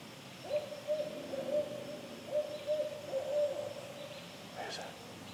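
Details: Barred owl, at least one adult calling near juveniles in forest beside a trail in a local park at evening; a steady run of low, level hoots pulsing about every half second for four seconds, followed by a brief rustle.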